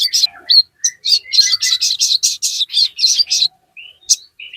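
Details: Crested jay (sogon) in full, lively song meant to provoke other birds into answering: a dense run of sharp, high chattering notes about twice a second, then a pause and a few thin rising whistles.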